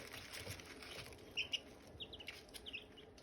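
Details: Silkie chicken chicks and hatching eggs: a handful of short, bright, high peeps arrive in small pairs and bursts over a soft background hiss, with occasional light tapping sounds.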